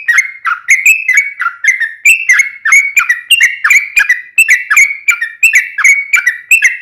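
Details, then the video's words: Steady gacor song of a yellow-vented bulbul for daily training of cage birds: continuous repeated liquid whistles, each sliding down, about two per second, with no other sounds. "KICAU SUARA trucukan gacor KHUSUS BUAT MASTERAN HARIAN menjadikan burung trucuk gacor NYAUT SEKETIKA"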